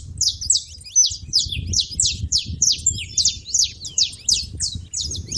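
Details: Saffron finches chatter at a feeder in a steady stream of sharp, high downslurred chirps, roughly three per second, overlapping voices over a faint low murmur.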